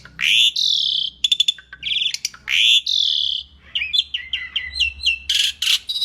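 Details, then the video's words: Energetic masteran song of an Asian pied starling (jalak suren), used to tutor songbirds: rasping harmonic notes sliding downward, then a rapid run of short bright whistled notes and a final harsh burst. "kicau jalak suren masteran gacor"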